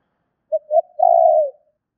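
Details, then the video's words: Spotted dove luring call: brief coo, second coo, and a prolonged trilled coo ending lower, one clean three-part phrase with silence around it. "Tiếng chim cu gáy gọi thúc kích bổi nhanh nổi"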